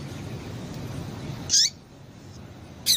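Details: Female double-collared seedeater calling to stimulate males: after a stretch of low background rumble, one high sharp chip with a descending tail, then the start of another note at the very end.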